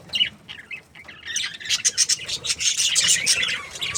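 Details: Breeding pair of budgerigars: a few soft squeaky notes build into a fast, dense run of bright chirps and raspy warbling.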